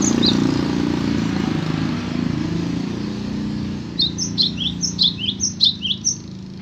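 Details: Cinereous tit (gelatik batu) singing: after a few seconds of low engine rumble, a quick run of high, sharp two-note whistled phrases repeated about twice a second for two seconds.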